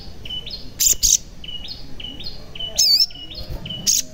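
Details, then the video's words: Lure song of the sogon (crimson sunbird), used to prompt reluctant caged birds to sing. Even runs of short high piping notes step between two pitches, punctuated by a few loud scratchy squeaks. "Pancingan Sogon Agar Bunyi, Sogon Bahan, Sogon Malas Bunyi, Sogon Macet Bunyi, Pasti Langsung Nyaut"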